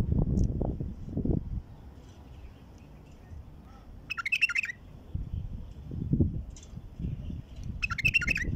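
A bulbul gives two brief, bubbly, chattering bursts of song about four seconds apart, over heavy low thumps and rumbling noise.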